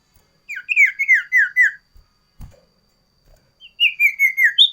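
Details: Varied, loud song of a sooty-headed bulbul, kept for training common ioras and luring wild birds: two bursts of rapid slurred whistles, each note dipping downward, separated by a pause with a single soft thump.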